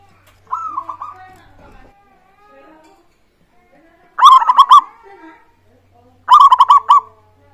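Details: Local zebra dove in full song, recorded as a lure to get other doves singing: a soft first phrase, then two loud, clipped bursts of quick throaty coos about two seconds apart.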